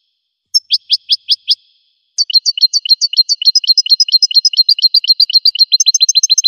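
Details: A singing goldfinch gives a short burst of five sharp chirps. After a pause comes a long, accelerating stream of high twittering two-note phrases that grows denser toward the end. No background sounds.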